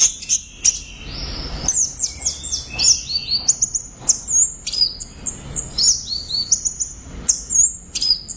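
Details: A loud orange-headed thrush sings a long, continuous run of very high, sharp chirps, slurred squeaks and thin whistles, rapidly varied and almost unbroken. The background is quiet.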